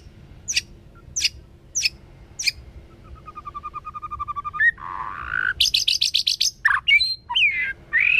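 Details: Forest-voice song of a white-rumped shama, sung to excite young birds: four spaced sharp high notes, a quickening rattling series of repeated notes (the pipe-pulling phrase), then a burst of bright clipped notes and swooping whistles.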